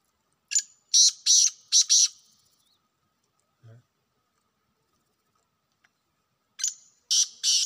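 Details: Wild black francolin calls twice: a rasping phrase of five harsh, buzzy notes, a quiet gap with one low thud, then the start of a second grating phrase.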